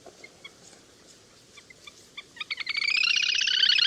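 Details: Lesser whistling duck call played as a hunting lure: scattered short chirps build into a loud, rapid, dense chatter of bright pulsed notes, repeated about four times a second.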